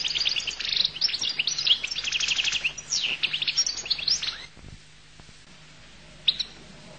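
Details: Goldfinch song: rapid twittering run of high tinkling notes and short trills for about four seconds, then quiet with one final chirp; faint low hum beneath.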